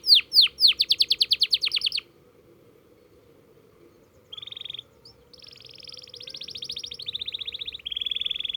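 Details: Canary learning to roll. A quick run of falling chirps breaks off into two seconds of silence, then soft buzzy trills resume and build into a longer rapid roll.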